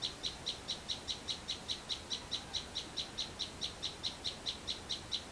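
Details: Sunbird behind a house in the countryside: bright, high, evenly spaced chips, about thirteen over five seconds, clean and cheerful against quiet background hiss.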